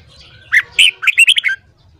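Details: Red-whiskered bulbul morning song used for voice training: a single quick phrase of about seven bright, warbled notes that rise and fall over one second, between quiet moments with faint low background hum.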